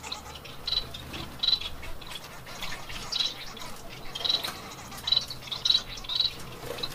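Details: Caged Bengalese finches, a chestnut pied female and chocolate pied male with three young from their second clutch, giving short, sharp high chips about once a second over a steady background hiss.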